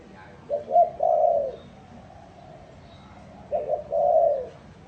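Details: Two matching coo phrases from a spotted dove, each a quick doubled note followed by a longer mellow hooting coo, spaced about three seconds apart with quiet between.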